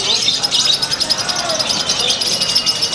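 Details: A lovebird at a singing contest (Kencana Cup) gives continuous high, shrill chatter of rapid squeaky notes, with other birds calling and a crowd murmuring in the background.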